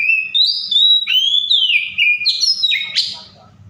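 An Oriental magpie-robin sings a varied run of clear, sliding whistles, rising and falling, ending in a harsher buzzy note, with borrowed phrases from other birds.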